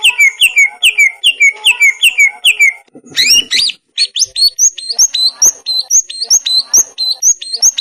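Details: Training master of greater green leafbird song for idle or molting cage birds: a run of bright descending whistles, then a rapid rising chattery burst and high, quick sweeping chips.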